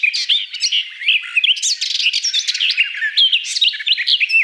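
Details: Garden Warbler singing a fast, jumbled warble of bright whistled notes, short rasps and quick slurred phrases, delivered without breaks throughout.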